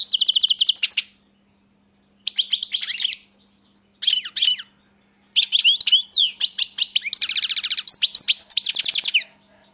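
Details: European goldfinch song in lively phrases of rapid tinkling twitters and fast trills, broken by short pauses and ending in a long continuous chattering run. A faint low hum sits in the background.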